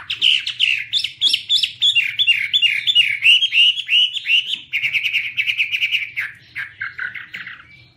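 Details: Chinese hwamei singing while waving its wings: rich, loud, varied whistled phrases in fast repeated rolling notes, then a steady trill, ending in softer slurred whistles, over a faint low hum.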